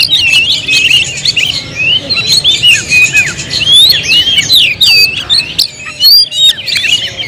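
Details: A caged Oriental magpie-robin delivers a long, busy song of looping whistled notes and sharp ticks, phrases overlapping in a steady rapid stream.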